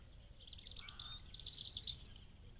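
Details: Continuous high warbling from a thrush, quick varied twittering notes with a brief lower note partway through, against steady low background rumble.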